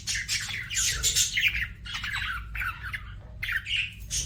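A budgerigar warbles a busy, scratchy run of chirps, squawks and chattering notes in quick bursts, with a low background hum.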